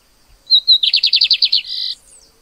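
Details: One phrase of lined seedeater song from 2024. High whistled introduction, fast repeated buzzy notes and a closing sustained buzz, followed by a faint high note; otherwise quiet.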